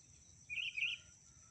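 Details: A female sooty-headed bulbul calling to a male gives a quick, bright two-part chirping call, high and slightly warbled, lasting under half a second over a low steady hiss.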